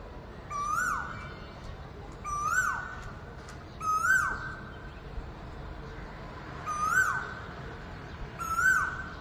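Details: Asian koel calling loudly in the early morning from a wire outside a window: five loud, clear notes, each sharply rising then dropping, repeated about every one and a half to two seconds over a low background hum.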